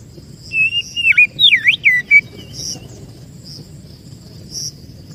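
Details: Lure song of the oriental magpie-robin (kacer), played to attract birds: about two seconds of rapid whistled notes dipping and rising in V-shaped slurs, then quiet with faint distant chirps.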